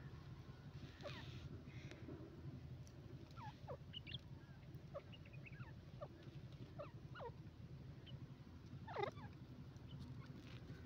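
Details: Grey francolin calling with quick, sharp downward-slurred notes in an irregular run, set against a constant low droning hum and faint background noise.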